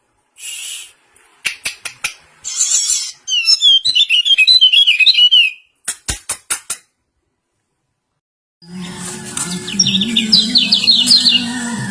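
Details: Common iora (kecial) in a singing contest between pleci and serkell types: bursts of high, fast warbled trills and sweeping whistles, with sharp clicking or wing-flap pulses between phrases, then a pause and denser chattering over a low hum.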